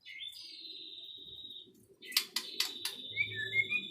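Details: White-rumped shama singing, a long steady whistled note followed by sharp clicks and short bright warbled phrases; a faint low hum in the background.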